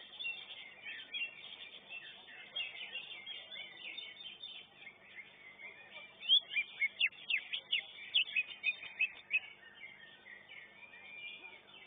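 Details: Greater green leafbird entered in a singing contest, first class. A busy background chorus of birds gives way to a series of sharp, clipped, high notes repeated quickly for about three seconds.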